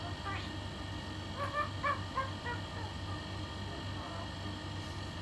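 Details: A female pet talking myna, which greets its owner with "good morning" each morning and can bark, gives a burst of short, harmonic, laugh-like notes in quick succession over a steady low hum, with a person talking.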